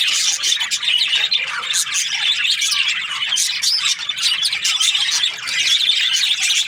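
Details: Budgerigars, Australian parrots, chirping as a flock: dense overlapping chatter of short warbled and scratchy notes, continuous throughout with no pauses.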